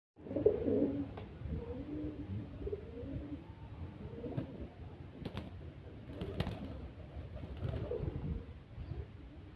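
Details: Pigeon anxious to fight, giving low, rolling coos that rise and fall in a muffled series, with scuffling and a few sharp knocks in the background.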